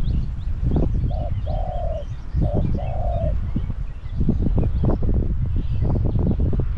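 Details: Spotted dove used as a caged decoy to draw in wild doves at Song Phi Nong, Thailand: two soft coo phrases, each a brief note followed by a longer sliding croon, then only rumbling background noise.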